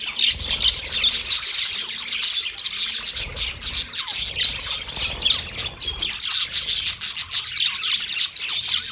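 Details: Colony of 30 budgerigar pairs chirping: continuous, crowded high-pitched chatter of squawks, trills and squeaky notes, swelling in waves over nine seconds.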